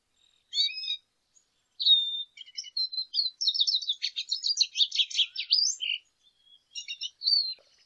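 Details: After a few separate whistled notes, a lesser goldfinch runs into a rapid buzzy rattling series, then closes with scattered high chips and whistles.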